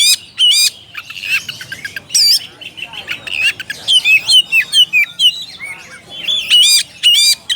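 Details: Oriental magpie-robin calling a rival: loud, varied whistled and squeaky notes with buzzy bursts, delivered in quick irregular phrases of short high notes, some rising and falling, with brief pauses between bursts.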